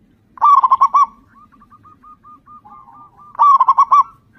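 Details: Local zebra dove, a loud, eager singer meant to prompt other zebra doves to sing, gives two strong bursts of five rapid rolling coos three seconds apart, joined by a steady string of soft, evenly repeated cooing notes.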